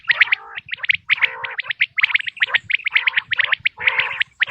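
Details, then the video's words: Natural quail call used for hunting: fast bright chirps repeatedly interrupted by lower buzzy rattles, the pattern cycling roughly every second without pause. "بٹیر کی آواز"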